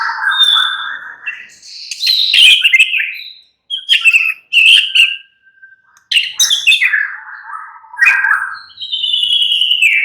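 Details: White-rumped shama in captivity delivering a rich song of fluty whistles, rasping buzzes and quick chattering notes, ending with a long descending whistle.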